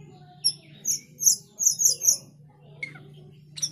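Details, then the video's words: A male cucak keling calls a rival with a quick series of high, thin chirps, then fainter harsh notes toward the end, over a constant low electrical hum. "Suara cucak keling jantan memanggil lawan sampai teler"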